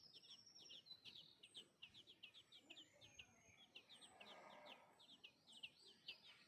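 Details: Sparrow nestlings in a nest being fed by their mother, giving a rapid run of thin, high chirps, many short notes each second, over a soft hiss of background noise.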